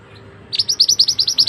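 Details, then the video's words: Mantenan bird used as a tutor singer for other birds: a quick series of sharp, high, upswept chirps, about ten notes in under a second, loud and clean against a quiet background. "burung mantenan yang handal untuk masteran"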